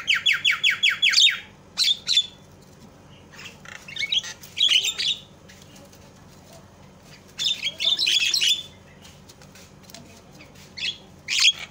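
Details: Javan myna calls used as a lure to provoke other mynas into calling: harsh, buzzy bursts around a high pitch, a rapid run of repeated notes at the start, then scattered raspy chatter phrases with gaps, steady low hum beneath.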